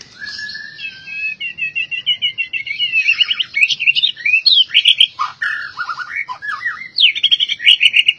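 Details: Albino white-rumped shama singing a long, varied song: whistled phrases between 1.5 and 4k, rapid trilled runs, sharp upswept and downslurred notes, many short rhythmic elements in close succession.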